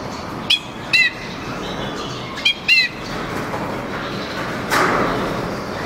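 A male white-winged crossbill gives short, dry, nasal chips, two quick pairs a second or so apart, over steady background hiss and a brief rustle near the end.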